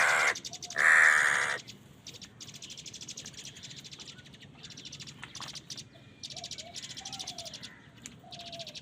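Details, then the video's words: Crows in a food fight: a harsh caw is followed by a long, loud, strained caw. After that, a constant rattling chatter of many birds with occasional soft whistles takes over. "কাকের ডাক Crow Sound Crow ki Awaz Loudly | Crow bird Fight for Food"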